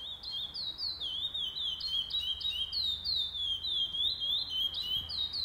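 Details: Chestnut-bellied seed finch (curió) at the first stage of a singing tournament, 8 November 2020: continuous clear whistled song of sliding notes around high pitch, falling and rising phrases linked in a rapid flowing string, low background hum.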